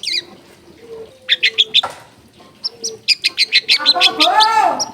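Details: Long-tailed shrike singing a varied phrase: bursts of quick, high chirps separated by pauses, a short descending sweep, then a lively mix of rapid chips and lower whistled, warbling notes.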